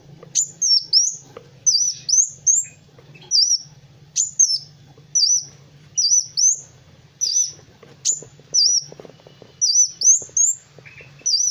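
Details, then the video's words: Kolibri wulung (Van Hasselt's sunbird) singing energetically as a master track for training other birds: a steady run of high, thin, twisting whistled notes, roughly two per second, over a faint low hum. "SUARA BURUNG MASTERAN Kowul (Kolibri Wulung) GACOR"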